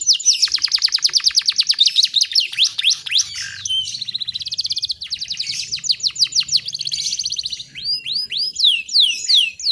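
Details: Female canary lure recording meant to attract males, with prinia song used as filling: a fast, dense buzzing trill of repeated high notes gives way to varied chirps and slurred downward whistles.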